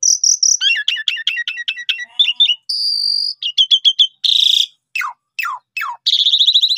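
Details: Asian pied starling song used as a lure for birds to respond, with a rapid chattering series of clicks and chirps, a steady high whistle, buzzy bursts and sharply falling whistled notes.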